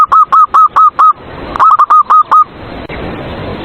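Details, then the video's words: Zebra dove in a cage singing a lure song meant to stir rivals to sing: two rapid bursts of about five short, even, hooting coos each, separated by a brief gap, followed by background hiss. "PERKUTUT SUARA PANCINGAN EMOSI LAWAN BIKIN MANGGUNG"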